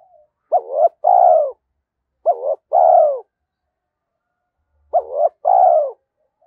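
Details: Spotted dove giving a challenge call to provoke rivals, used to draw wild doves in to the perch; 'thổ' voice style. Three deep two-part coos, each a short wavering note then a longer falling one, about two seconds apart, in otherwise silent surroundings.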